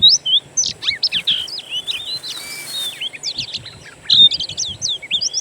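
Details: Natural-bird master recording of Oriental magpie-robin song meant to provoke a kept bird into singing: rapid sweeping whistles and chirps, a steady buzzy hiss near the middle, then a fresh burst of bright whistled phrases.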